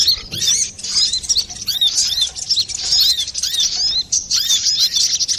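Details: Busy brown-throated sunbird song meant for luring or training birds: rapid, thin, high twittering notes tumbling almost without break, with small pauses every second or so.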